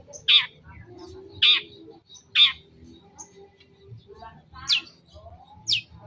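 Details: Long-tailed shrike on a lure recording meant to provoke a reply: harsh, rasping squawks repeated about once a second, then two thinner downslurred notes, over a faint low hum.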